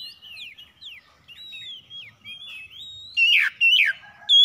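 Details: Oriental magpie-robins trading harsh songs at dawn: a string of soft, quick slurred whistles, each dipping downward, followed by three loud, rough, strongly swooping notes near the end.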